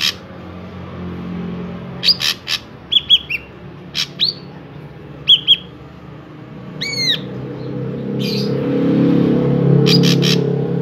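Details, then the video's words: Energetic drongo song meant to draw other drongos into singing: a varied mix of rasping bursts, short clear whistles and one arched ringing call with overtones. A rising low rumble builds in the final seconds. "Burung Srigunting Gacor I Ampuh Untuk Pancingan Burung Srigunting Agar Ikutan Gacor"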